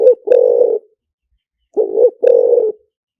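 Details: Spotted dove decoy song in the liu tan style, meant to draw doves in quickly. Low, throaty cooing in two phrases: a short coo, then a long rolling coo, repeated after a pause of about a second.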